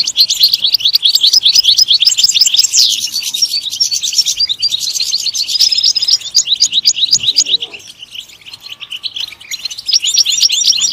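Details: European goldfinch twittering rapidly: chattering trills and buzzy notes in a dense run, a sharp downward sweep midway, a softer lull, then renewed bright chirping.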